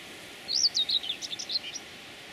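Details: Geese accompanied by chicks: a rapid run of about a dozen high, thin whistled peeps, the first ones sliding up and down, then shorter notes tumbling quickly, against a quiet hissing background.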